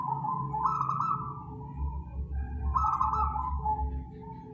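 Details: Zebra dove from the wild, a local bird whose song serves as a lure for trapping: two overlapping bubbling phrases of rapid stuttered notes flowing into steady mellow coos, about two seconds apart, over low background hum.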